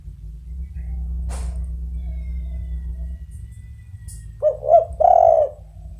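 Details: Spotted dove (tekukur) giving one short, mellow cooing phrase of three low notes near the end, the last note longer and slurred, over a steady low hum with a brief click earlier.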